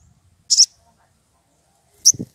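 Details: Wild rufous piculet, worked up and seeking an opponent: two short, shrill, very high notes about one and a half seconds apart, the second followed by a soft low thud.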